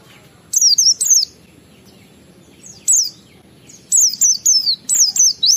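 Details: Oriental white-eye, ngalas and wiksar song used to prompt other white-eyes to sing: a short high twittered phrase, a single whistle after a pause, then a quickening string of falling whistled notes.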